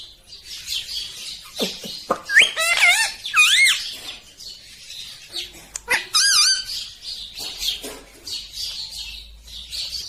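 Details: Green rose-ringed parakeet screeching in shrill bursts, clusters of harsh wavering calls with brief chattering notes between them and short pauses over ten seconds.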